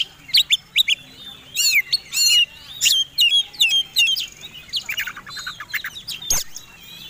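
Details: Kacer, the white-rumped shama, in fighting song meant to provoke other birds: a jumble of sharp high chips, whistles and rapid trills, uneven in rhythm, with a loud click near the end.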